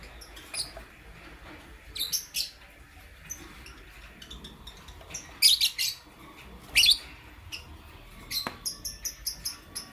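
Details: Morning chirping from pet lovebirds of Lutino and Blue Opaline colour: sharp, scratchy high chirps in scattered bursts, some in quick pairs, with short quiet gaps between them.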